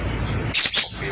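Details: Javan myna during a coffee break, uttering a short double rasping squawk, loud and hissy, lasting under half a second against faint background hum.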